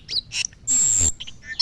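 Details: Asian glossy starling singing in full voice: quick high chirps, then a long piercing, very high steady whistle lasting about half a second, followed by softer scattered chirps.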